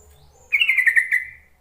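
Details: Yellow-vented bulbul call for prompting silent birds to sing: one short bubbly, gurgling phrase of quick slurred notes, gently falling and fading away.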